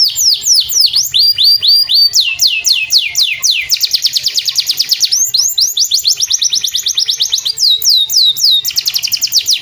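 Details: A canary sings a long, bright song played daily to prompt other caged birds to sing. Rapid descending whistled sweeps repeat in tight rolling series that change speed and pitch through the passage, with no other sounds.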